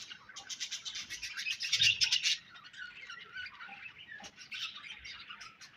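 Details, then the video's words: Pet budgerigars give a harsh, raspy, pulsing chatter for about two seconds, then softer, lower twittering chirps and warbles continue to the end. "Budgies Chirping Sounds"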